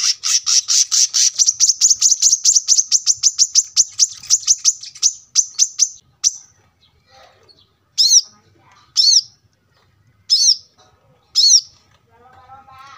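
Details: Brown-throated sunbird (kolibri kelapa) singing gacor near a roadside house, recorded as training audio for cage birds: a long accelerating string of high, piercing chips for five seconds, then four separate slurred, high notes about a second apart.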